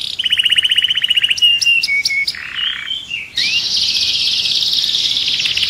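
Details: Canary song used to stimulate and activate other birds for mating: quick high trills, then a few separate whistled notes and a lower held tone, followed by a dense continuous buzzy warble.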